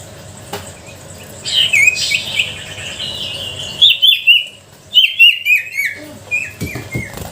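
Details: Sooty-headed bulbul singing energetically as a lure for reluctant bulbuls: a soft warbled phrase, then crisp separated chirps in short bursts, ending with a few scattered notes and background hiss.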